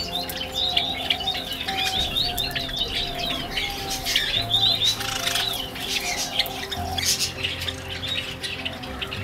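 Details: In winter, a flock of Java sparrows housed in an outdoor aviary at Sagamihara Asamizo Park, Japan, keeps up a busy chatter of short, high chirps and twittering trills over a steady low mechanical hum.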